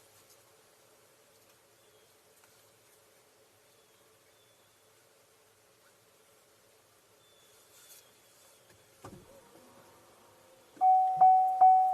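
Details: A low steady mechanical hum with a few clicks and knocks, ending in three loud, evenly spaced electronic beeps; no animal voice is heard.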